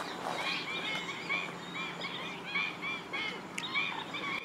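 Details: Flock of black-winged stilts in a Gujarat wetland, India, at Gathera bird sanctuary. Short, sharp, high yelping notes repeat several times a second, with overlapping callers and a noisy natural background.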